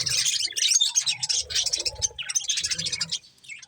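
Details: Budgerigars feeding on corn keep up a fast, overlapping chatter of high buzzy chirps and warbles, tapering off near the close.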